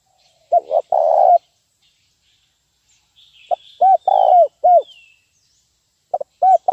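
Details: Spotted dove lure call used to train birds: one double-then-long coo phrase, then a run of shorter arched coos in quick bursts, with thin high chirps from other birds in the background.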